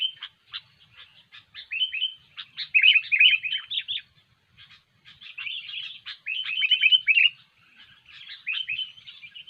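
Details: Vigorous sooty-headed bulbul song used to lure birds for trapping and to train fighter birds. Rapid, scratchy twittering phrases are mixed with clearer warbled trills. The bursts come in irregular runs separated by short gaps.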